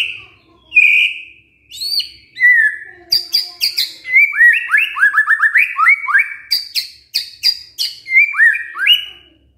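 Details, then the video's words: White-rumped shama song used as a lure to make a reluctant male sing: long clear whistles, then dense runs of rapid rising whistled notes mixed with crisp high ticks, rich and varied throughout. "MURAI MALES JADI GACOR MENDENGAR PANCINGAN INI❗❗ PANCINGAN MURAI BATU GACOR❗"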